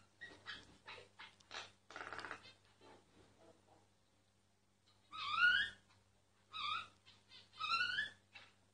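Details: Myna song captured discreetly: a stuttering run of dry clicks and scratchy notes, a pause, then three loud wavering harmonic whistles with rising inflections.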